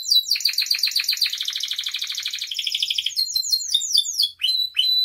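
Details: Canary in full song as a provoking tutor recording: a long, loud pulsed trill of bright notes sinking slightly in pitch, then a scatter of quick downslurred chirps and a thin high steady whistle.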